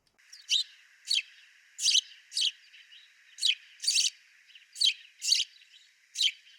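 A sparrow gives bright, high chirps, single and paired notes repeated roughly every half second to second, over a faint steady hiss.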